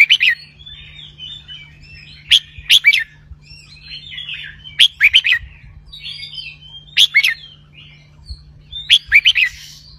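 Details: Red-whiskered bulbul kept as a cage bird, in the Thai 'bercue roi' double-linked song style: bright whistled phrases of three or four quick notes come every two seconds, with soft chattering between them and a low electrical hum.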